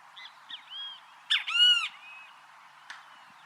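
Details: Great kiskadee singing in nature: a few short notes, then a loud, harsh two-part phrase with a rising-falling arched note, followed by a soft trailing note.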